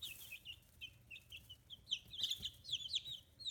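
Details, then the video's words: Fifteen-day-old chicks, feathers just growing in, kept on a free-range poultry farm in Kitahiroshima, Hiroshima, Japan; dense, overlapping high peeping chirps, many short downward-sliding notes rising in intensity, a soft thump midway. "Chicks Chirping Sounds"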